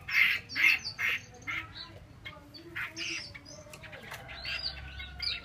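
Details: Harsh churring notes from a female Chinese hwamei, three loud rasping bursts at the start, then quieter scattered chatter with a faint thin whistle.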